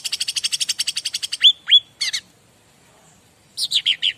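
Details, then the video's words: Bar-winged prinia singing, used as master song to prompt other birds to answer: a long rapid train of buzzy high notes, two sharp rising whistles, a brief chirp, then a short burst of four descending chirps after a pause. "Masteran Cica Ranting"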